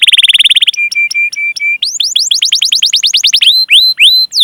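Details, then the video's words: Canary song used as a lure to get young, untrained or silent canaries singing. A fast high trill, a few thin level whistles, then a run of rapid upward-hooked chirps and slower repeated sweeps. "Masteran Suara Burung Kenari Gacor Panjang cuit cuit Ngerol untuk Pancingan Kenari!"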